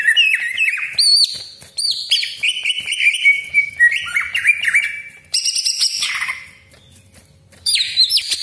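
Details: Greater green leafbird (Chloropsis sonnerati) song, used as a lure to provoke other leafbirds into singing: a loud, fast jumble of sharp whistles, slurred rising and falling notes and rough chattering phrases, with a brief quieter pause near the end.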